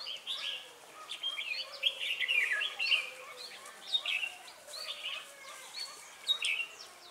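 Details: At Ba Thá on 18 December 2016, a lure red-whiskered bulbul sings to trap wild birds. Bright, lilting whistled phrases repeat every second or so, with a louder rolling run near the start and quieter chirps between.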